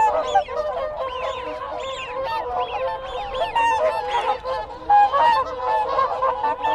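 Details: A group of whooper swans calls to keep in contact, a thick layer of honks beneath repeated rising-and-falling whistles, likely the Wigeon, with Canada geese also in the background.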